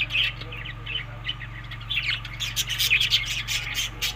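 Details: Budgerigars eating summer food in Larkana, Sindh, May to June: dense high chattering and chirps that grow louder and busier toward the end, over a constant low hum.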